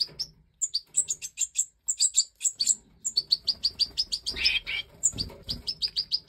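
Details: Five captive-bred Major goldfinch chicks, out of the nest in 2024, beg loudly as the hen feeds them. Dense insistent series of high, evenly repeated chirps, roughly several per second, building into continuous twittering.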